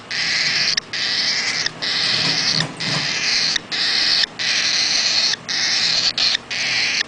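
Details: An 8-day-old baby bird gives harsh, hissing begging calls, long rasping bursts broken by brief silences, about every second.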